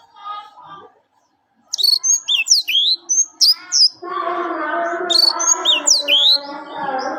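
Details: Orange-headed thrush: a string of loud, crisp whistled notes spaced about a third of a second apart, then a steady humming drone joins beneath more quick, high slurred phrases.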